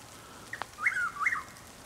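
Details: A single whistled three-note phrase from a Chuck-will's-widow, rising at the end, at dawn on 12 April 2023 in Lake Placid, Florida, with a faint click just before it and soft rain in the background.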